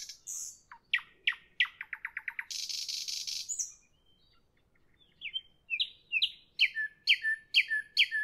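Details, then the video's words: Evening nightingale song: quick downward-swept notes speed into a rapid repeated series, then a dense rasping rattle, a pause, and a phrase of rising whistled notes repeated about twice a second. "Evening nightingale, nightingale song, nightingale"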